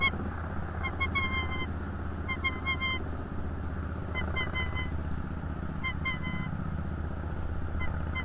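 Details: Female bald eagle Gabby at a nest cam gives short bursts of thin, piping notes roughly every one and a half to two seconds, over a steady low rumble of wind or traffic.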